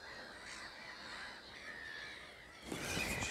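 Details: Jackdaws leaving their roost at dawn in a short murmuration, calling together in overlapping short, sharp 'chak' notes in a busy chatter, ending in a burst of rushing noise.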